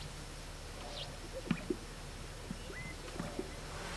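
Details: Male greater sage-grouse displaying on a traditional lek to attract females, making popping sounds with inflated air sacs while strutting: soft paired popping plops with a brief high whistle between them, over a steady low rumble like a distant engine.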